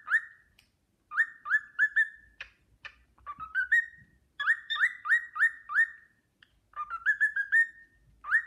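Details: Caged pet cockatiel whistling the Sportpalast Waltz: pure rising whistled notes in quick groups of four, with a lower climbing phrase between runs and short silences.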